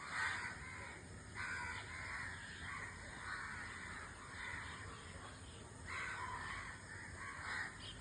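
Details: Harsh, rasping calls of a white-throated kingfisher come in several drawn-out bursts of grating sound across eight seconds, over a continuous noisy hiss.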